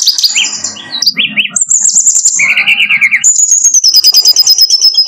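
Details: Brown-chested jungle flycatcher song used as a tutor recording: a busy high medley of clear whistles, short downslurred notes, a fast buzzy chattering run, then a long thin whistled trill gently falling in pitch.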